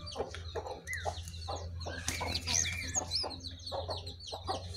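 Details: Sooty-headed bulbuls, a wild bird facing a caged one until the wild bird flees; dense bursts of short chattering notes and quick upslurred chirps overlap busily, with a steady low hum underneath.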